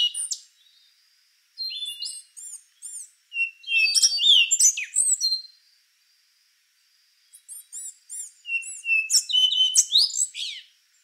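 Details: Long song passages from a rufous-brown solitaire, thrush family: strings of rapid, repeated high chips and clear whistles woven into fluty, cascading phrases, with a pause of about two seconds between them.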